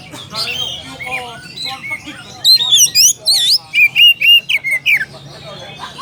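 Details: An oriental magpie-robin calling a rival opens with softer varied notes, then bursts into loud high whistles and rapid chirping phrases.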